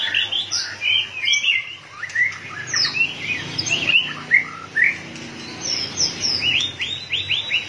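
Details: White-rumped shama in fired-up form flicking its tail like a machine gives repeated sharp, sweeping whistles and descending notes, ending in a quick series of similar falling whistles.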